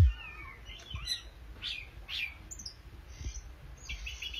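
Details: Oriental magpie-robin singing, fairly faint: descending whistled slurs, then scattered sharp chips and thin high notes, with a thump at the start and low background noise throughout.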